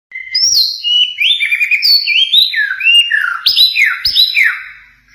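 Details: White-rumped shama song with mimicked phrases (isian) of cililin, canary, konin and katem, used as training audio for pet birds: a rich, unbroken run of clear whistled notes sliding up and down, with a few sharp clicks.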